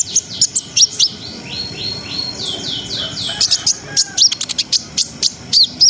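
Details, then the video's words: Brown-throated sunbird in a continuous, rolling song used to raise breeding arousal: piercing high chips, then a series of repeated descending slurred whistles, then fast sharp ticking notes about four per second. "SUARA KONIN GACOR NGRIWIK NGEROL SAMBUNG NEMBAK !! COCOK BUAT NAIKNA BIRAHI BAHAN"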